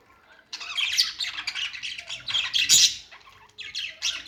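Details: Budgerigar song after a brief silence: continuous dense chattering warble of buzzy, squeaky and clicking notes lasting about three seconds, a short pause, then another chattered phrase.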